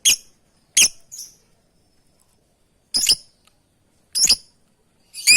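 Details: Lovebird calling to companions: sharp, harsh high squeaky chirps in short bursts, about six over five seconds, irregularly spaced with silent gaps.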